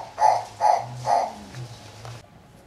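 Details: Fischer's turaco at Antwerp zoo gives three loud, hoarse, barking notes about half a second apart, trailing into softer sounds over a low indoor hum.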